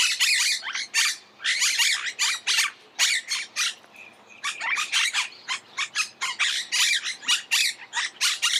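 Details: Monk parakeet chattering with rapid harsh squawks in dense volleys, a short lull after about four seconds, then renewed scratchy calling.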